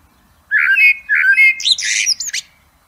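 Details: Two mellow, low whistled notes from a Blackbird followed by a jumble of thin, high, scratchy twittering, a typical fluted phrase with a squeaky finish.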